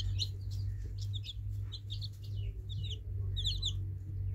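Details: Baby chicks give scattered high peeps in small bursts with short gaps between them, over a loud low droning hum.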